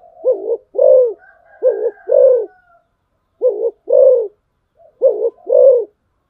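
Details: Decoy spotted dove repeating its call three times: each phrase a quick low coo then a longer rounded one, spaced about one and a half seconds apart, with a faint thin high tone early on.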